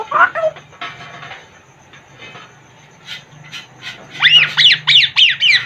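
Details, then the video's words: Talking Congo grey parrot in its cage: a bending vocal phrase and soft murmuring sounds, then about five loud, high, arching calls repeated in quick succession at the end. "african grey parrot talking in cage | Talking congo grey parrot"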